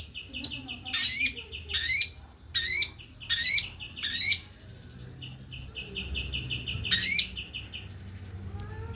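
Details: Male white-rumped shama delivering fast, dense song. Loud buzzy, rasping bursts repeat roughly every 0.7 seconds over a steady held whistle, followed by a quieter stretch and another burst, with constant low background noise.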